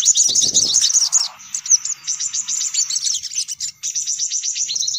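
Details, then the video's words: Sunbirds used as a lure to draw in sunbirds: a burst of rapid high chirps, a short noisy rustle, then sustained squeaky twittering with clipped repeated notes. "Suara Pikat Burung Kolibri Paling Manjur"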